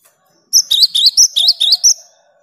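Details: Burst of about eight loud, high, sharp chirps in quick succession from a cinereous tit singing actively, a sound meant to stir silent tits into song, with a faint steady tone beneath.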